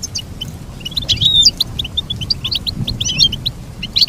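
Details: Bright twittering goldfinch song with quick chirps, a few thin whistled notes and jingling trills running steadily throughout.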